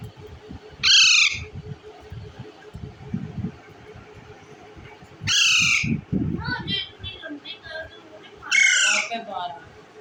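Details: Indian ringneck parakeet eating bread: three loud, grating screeches, with softer chattering notes between the second and third, over low background rumble.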